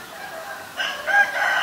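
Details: White-vented myna in Ubon Ratchathani, Thailand, 9 March 2022, giving short harsh grating notes in two quick bursts, the second louder and more raspy.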